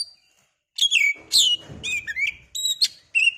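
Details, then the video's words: Oriental magpie-robin singing to excite another bird into song: a few loud, varied phrases of sharp whistles and downslurred chirps separated by short gaps. "pancingan burung Kacer biar emosi mau bunyi"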